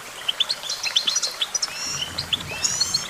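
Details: Goldfinch song: a rapid, bright twittering of short high chirps and tinkling notes, with a thin, buzzy, slightly rising trill near the end, over faint background hiss.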